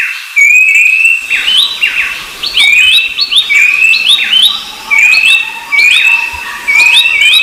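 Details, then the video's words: Rufous-browed babbler: after a quiet start, long slightly rising whistled notes arrive in a steady sequence, tangled with quick curved chirps from other birds over a constant faint hum. "Suara Burung Berisik || Pelanduk Semak & Pelanduk Topi Hitam"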